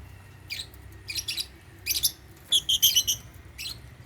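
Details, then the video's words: Caged African lovebirds eating holy basil at meal time, chirping in quick shrill high bursts, about six groups in four seconds, the last ones densest, over low background hum. "Meal time | African Love birds | Eating Holy basil | chirping sound"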